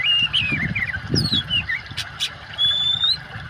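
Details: Oriental magpie-robin singing with water sounds added, meant to coax silent birds back into song. Clear whistled phrases slide down and up, followed by a long thin rising whistle, with soft low rustles and steady water hiss behind.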